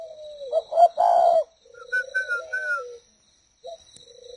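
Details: Captive breeding pair of spotted doves: low hoarse cooing notes, a louder rough burst, then a smoother falling coo, with a thin higher whistle and a faint high ringing tone in the background.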